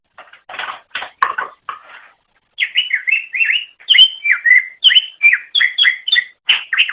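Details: Greater green leafbird song for training songbirds: harsh, noisy scratchy notes at first, then a steady sequence of loud, varied whistled slurs and chips repeated about once a second.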